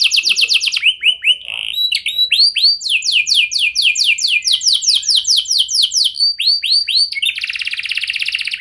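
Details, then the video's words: Canary singing to prompt replies from other canaries, alternating rising and falling whistled notes in quick series, with looping phrases, ending in a dense buzzy trill. "Kenari Lain Langsung Respon Dengan Pancingan Kenari Gacor Lagu Istimewa Ini"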